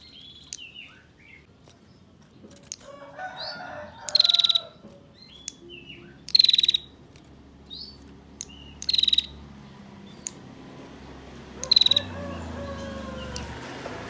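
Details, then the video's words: Repeated ngetir calls of a female bar-winged prinia, a lure for males: five short, rapid ticking rattles spread through the recording, about every two to three seconds. Other thin chirps, whistles and a soft lower warble are heard around them. "Masteran Prenjak Tamu Ngetir Durasi Panjang, Pancingan Prenjak Jantan Agar Bunyi"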